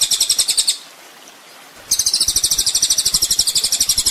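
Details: Rapid high trill of a ninja sunbird on a songbird training master, breaking off for about a second of near silence, then resuming as a steady, sizzling series of quick pulses.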